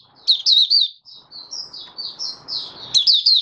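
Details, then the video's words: Kept oriental white-eye recorded in January 2022, five days after deworming, twitters rapidly, then draws out softer thin whistled notes before returning to bright, quick chirps over a low hiss. "Mata Puteh Raja Video 1 buka sing"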